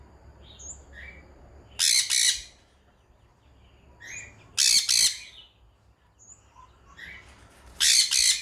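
A sun conure gives loud, harsh, grating screeches every few seconds, with softer chirps between.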